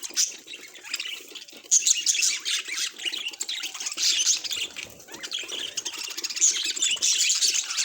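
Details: Pet budgerigar chattering, quieter at the opening, then a sudden louder burst of high squeaky warbles and chirps that continues, busy and overlapping to the end.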